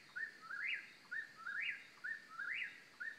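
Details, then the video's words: An Eastern whip-poor-will in central North Carolina repeats its whistled three-part call about once a second: a short clipped note, then a sharply rising and falling slur, over a faint steady background hum. "Whippoorwill Call"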